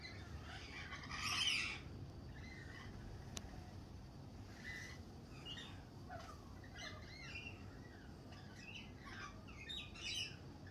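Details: Springtime lorikeets: one loud rasping screech early on, then a scatter of fainter, short scratchy calls from several birds against a low background hum.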